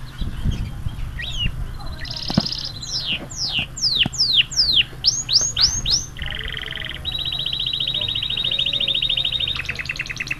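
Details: A yellow canary from P.Town, Trinidad, sings a varied, high song: a run of quick sweeping slurred notes, then long, rapid rattling trills, over a low background hum.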